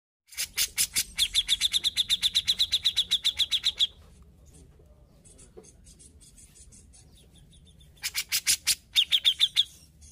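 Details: Grey-cheeked bulbul in lively, sustained song: broadband clicking bursts that lead into a rapid series of sharp high notes, about four per second. A quiet pause follows, then the same rapid note series returns near the end.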